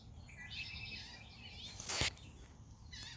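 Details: Red-winged blackbird at the beach in Rehoboth Beach, Delaware: a harsh, buzzy trill lasting about a second, then a sharp loud click and a few faint high chirps over a steady low rumble of wind or surf.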